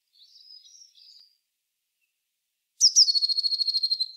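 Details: Eurasian blue tit song opening with a soft high warble, then after a silence two sharp high notes sliding down into a fast, even trill of about a dozen repeated notes.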